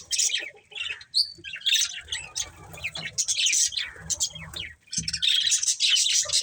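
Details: Pet budgerigars chattering with fast, scratchy high chirps and squeaky whistles in overlapping bursts, a brief quieter spell midway, and soft low rumbling noise beneath.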